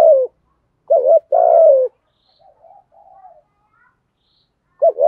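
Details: Spotted dove giving 'thúc gù' coos in the praised 'giọng thổ' voice: loud short hoots and long throbbing notes, with a quieter, more distant dove cooing in the gap between phrases.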